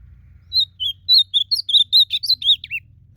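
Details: Wild ultramarine grosbeak in a singing contest: about ten crisp whistled notes delivered rapidly, the middle notes brighter and warbled, closing with a falling slurred note, over a soft low hum.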